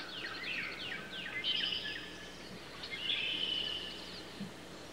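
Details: Common blackbird (Turdus merula) singing in nature: two bursts of high, squeaky twittering phrases with quick sliding notes, over a steady background hiss and faint low hum.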